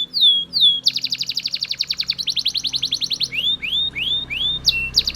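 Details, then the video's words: Belgian canary in loud song: two falling whistles, a fast buzzy trill, then a row of upward-sweeping whistled notes repeated about twice a second. "Super Loud Belgian Canary Singing"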